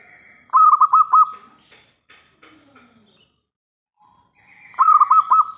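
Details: Local zebra dove with a big, clear crystal voice, kept as a lure to draw immediate replies from other doves. Two bursts of four or five fast, rolling coo notes several seconds apart, with faint chirps in between.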